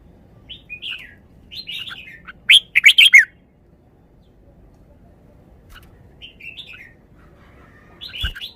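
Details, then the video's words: Caged red-whiskered bulbul singing its phrases: quiet slurred warbles, then a loud cluster of four bright whistled notes, a long pause, and softer warbling with a closing loud note. "นกกรงหัวจุก จ้าวมาดี สำนวนดี"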